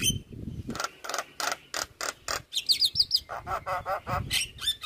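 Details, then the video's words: Javan myna (jalak kebo) singing a lively 'gacor' master song full of varied fill phrases for training other birds: a rapid series of harsh, buzzy, evenly spaced notes, then a quick run of high whistled chirps, with low rumbling noise underneath. "Suara Masteran Jalak Kebo Gacor Full isian"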